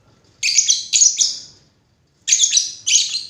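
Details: Two rapid bursts of strident, high lovebird chirps, each made of three quick notes, with a short silent gap between them.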